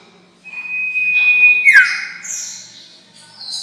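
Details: A sirtu call used as a trapping lure: one held, even-pitched whistle of about a second that drops abruptly in a downward slur, then fainter buzzy high notes.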